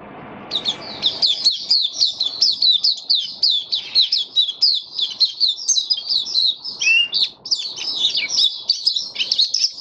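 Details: White-eye kept in a cage sings on 23 March 2022, its feeding adjusted for warm humid conditions; a continuous rapid twittering of high chirps, many per second, runs almost unbroken for nearly ten seconds.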